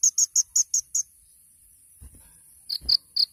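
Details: Sunbird ('kolibri ninja') in a masteran tutor recording, 'tembakan' style: six sharp high chips in quick succession, a quiet gap with faint low knocks, then three slightly lower chips.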